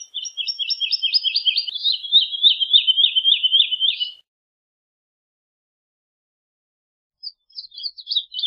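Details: Lullula arborea, the Woodlark, delivers a four-second series of fast, liquid notes that slides gradually downward in pitch, then pauses for three seconds before starting again. No other sounds.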